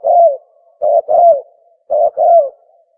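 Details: Spotted dove call for luring birds when hunting: a falling coo, then two phrases of a short coo followed by a longer sliding coo, slightly harsh and buzzy in tone.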